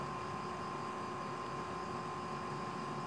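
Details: Steady broadband hiss with a constant mid-pitched hum throughout, and no animal voice.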